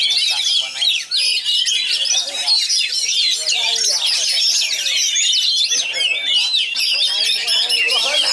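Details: Top-class oriental magpie-robin from West Pasaman singing rich, rapid, densely packed phrases: unbroken high whistles, slurs and chattering trills, with busy lower background sounds that may include other birds and voices.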